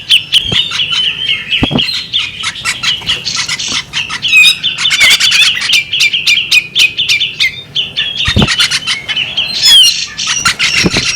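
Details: Female bearded magpie robin giving a long, busy stream of high chirps, squawks and twittering whistles, with dense clusters of sharp clicks and a few brief low thumps.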